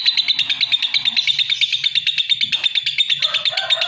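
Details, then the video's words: Rapid, shrill, buzzy chatter from a lovebird, evenly pulsed and steady in pitch, with some lower tonal notes entering near the end and a soft hum beneath. "Suara Kicau Burung LOVEBIRD"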